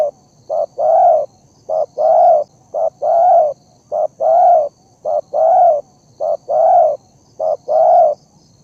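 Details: Spotted dove lure call used to bring birds together: a steady rhythmic series of paired coos, a short note followed by a longer swelling one, repeated about every 1.2 seconds throughout.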